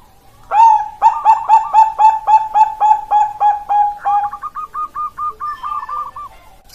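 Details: Bangkok zebra dove cooing, recorded in Indonesia in October 2023: a string of about a dozen clipped, mellow coos repeated four per second, then a fast rolling purr to finish.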